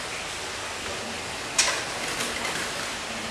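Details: Steady broadband hiss with one sharp click near the middle and a few faint knocks, and no animal voice.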